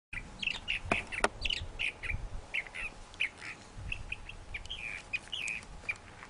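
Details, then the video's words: A thrasher singing a steady run of short, varied chirped and slurred phrases, each note distinct, with a couple of sharp clicks near the start and a low background rumble. "Thrasher Singing"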